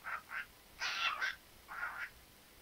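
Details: Talking pet parrot giving three raspy, voice-like phrases: two short syllables, a longer rough double burst, then a drawn-out gravelly phrase, in a quiet room with faint background hiss.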